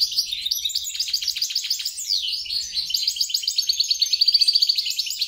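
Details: Goldfinch mule, a European × grey-crowned goldfinch cross, delivers rapid chattering phrases, a downward-sliding whistle midway, then a quick rattling run of evenly spaced notes toward the end.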